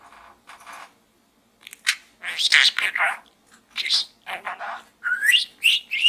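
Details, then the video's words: Budgerigar chattering from within a small gourd indoors, with raspy, broken mumbles followed by a run of rising, upslurred whistles near the end. "Bird Talk in the small gourd"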